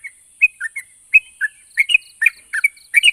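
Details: Yellow-vented bulbul song, aimed at making quiet birds respond: slurred, whistled chirps spaced out at first, then quickening into bubbly doubled notes, with faint high ticks and an even background hiss.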